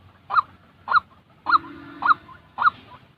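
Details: White-breasted waterhen call for teaching decoy birds: five harsh, nasal honks spaced about half a second apart, with a steady low drone between the third and fourth notes.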